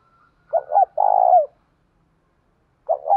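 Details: Spotted dove calling to challenge, 'thổ' voice: two clipped hooted notes and a long rough coo, then the next phrase begins.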